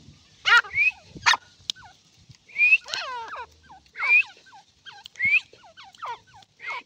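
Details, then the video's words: Irani partridge uttering spaced hooked chirps and rising whistled squeals in small clusters about every second, against a quiet background with occasional clicks. "irani teetar ki awaz❤❤ irani teetar ki voice"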